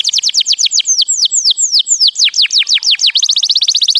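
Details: Canary singing to teach young birds: swooping downslurred whistles at a measured pace, gradually quickening into a fast rattling roll of short notes at the close.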